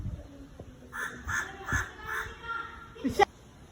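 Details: An Indian crow on a tree gives four harsh, hoarse caws about every half second, then a louder, sharper caw after a short pause.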